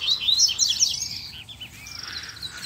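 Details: Double-collared seedeater in the wild scrub, where a calling chick also appeared; quick high chirping phrases of rising and falling notes, then a softer burst of thin notes after a short pause.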